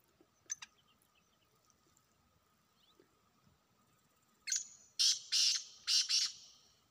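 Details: Wild black francolin in a hunting setting: after several quiet seconds with faint ticks, a harsh call bursts in. It has a short rasp, then four loud, scratchy notes grouped in two pairs.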